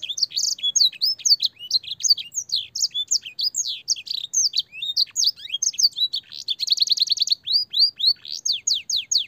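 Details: Training song for young canaries, canary singing with blackthroat and sanger fill: fast high chirps and swooping whistles, then a quick rattling trill of repeated notes before bright upslurred whistles resume.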